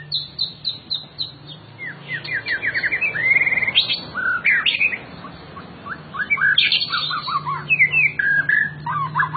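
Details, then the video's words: A captive white-rumped shama (murai batu, Copsychus malabaricus) sings a rich, varied stream of whistles, rapid chirps and sharp rising notes, changing phrases every second or so, over a low steady hum. "BURUNG MURAI"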